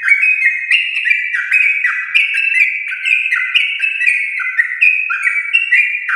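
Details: Yellow-vented bulbul of a champion line in rapid, long-rolled 'ropel panjang' song, used to prompt home-kept birds to sing: dense, continuous run of stepped clear whistled notes, each phrase sliding down then jumping up, no pauses.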